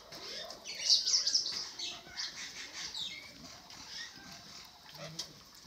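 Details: Eurasian magpie (Pica pica) at the Phoenix Valley bird park of the National Museum of Natural Science, Taiwan, giving harsh, scratchy bursts of noisy calls, loudest early on, then fading into softer rasping notes with faint rustling behind.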